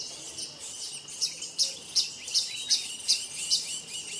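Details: Blue-naped chlorophonia repeating a sharp, high-pitched chirp about every 0.4 seconds in an even series of seven or eight notes, backed by a constant high hiss.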